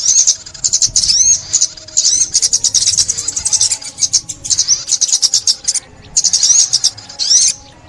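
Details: Sunbird singing, recorded in Vietnam in 2021 as a trapping call: high, rapid chittering phrases broken by short gaps, with occasional upslurred whistles among the dense twitter.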